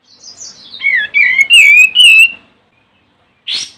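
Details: Olive-winged bulbul (Pycnonotus plumosus) calling a rival, used to lure and excite other bulbuls; a rich gurgling phrase of rapid whistled notes lasting about two seconds, followed by one sharp burst after silence.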